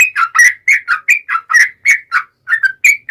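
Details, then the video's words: Vigorous song of a yellow-vented bulbul, meant as a lure to prompt other bulbuls to sing: a steady run of rich, gurgling, dipping whistled notes about four per second, with a short pause near the end. "KICAU SUARA trucukan gacor ROPEL panjang pancingan trucukan agar bunyi FULL GACOR"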